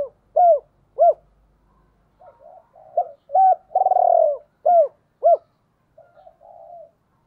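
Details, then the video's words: Decoy spotted dove cooing in the 'gọi hai hậu' style: short arched coo notes alternating with a long buzzy rolling coo, with soft murmuring notes between phrases, against an otherwise quiet background. "Chim Cu Mồi cu moi chuan gáy gọi hai hậu mới nhất"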